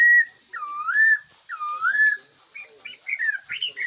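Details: Forest Chinese hwamei singing: a sharp whistle followed by two smooth looping, rising slurs, then fainter, quicker upward-flicking notes, with a constant high buzz throughout.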